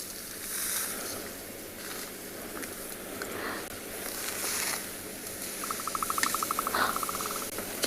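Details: Bearded woodpecker giving territorial drumming in the distance on a sunrise game drive, 21 May, Tswalu Kalahari Reserve, South Africa: a rapid, even roll of taps just over a second long, behind elephants loudly rustling and snapping branches.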